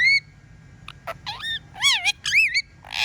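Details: Talking pet parrot kept at home, whistling and speaking: a high sweeping whistled note opens, then rising and falling warbled phrases with rich overtones, several short clipped syllables between, brief noisy burst at the end.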